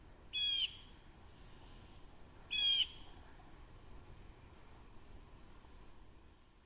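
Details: Two coarse, buzzy jeers from a blue jay recorded at Stratford, about two seconds apart, followed by faint high thin notes and low background hiss.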